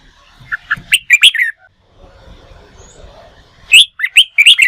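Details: Newly caught red-whiskered bulbul in training for contest singing: a string of quick, bright chirps and warbled notes, a quiet stretch with faint low background rumble, then another rapid burst of high chirped phrases.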